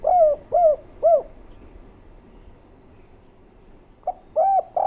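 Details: Local spotted dove singing the three-note 'kuk 3' coo style, heard clear. Three arched, mid-pitched coos come in quick succession, followed by a quiet pause, then another burst of coos at the end.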